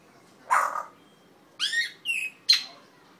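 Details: Red-tailed African grey parrot kept as a pet giving a harsh squawk followed by several clear whistled notes, some rising, with short pauses between them, indoors.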